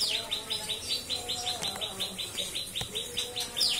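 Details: Cikris-style song of a captive-bred white-rumped shama: quick series of short, bright, slightly descending chip notes repeated steadily, with soft lower whistles and light background noise.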